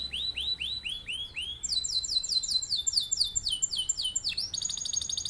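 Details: Lively canary with a long rolling song, kept as a master bird for others to copy: repeated rising whistled swoops, then a quick series of sharp down-slurred notes and a dense, fast mechanical roll at the end.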